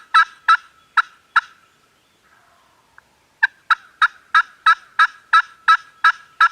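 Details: Farm turkeys gobbling, captured on a Canon G7X: four sharp bursts, a pause of about two seconds, then a fast regular run of around ten harsh pulses, roughly three per second.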